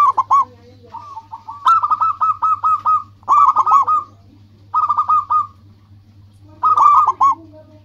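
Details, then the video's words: Local zebra dove singing vigorously as a lure to draw rivals: bursts of soft, rapid staccato cooing notes near one pitch, each phrase a quick rolling run lasting about a second, repeated with short pauses; steady low hum beneath. "Perkutut lokal gacor menarik perhatian lawan langsung pada nyaut semuanya"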